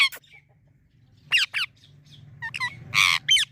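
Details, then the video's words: Parrot known for talking lets out loud harsh squawks in pairs, then short rising chirps and a raspy burst, over a steady low hum. "Parrot talking videos"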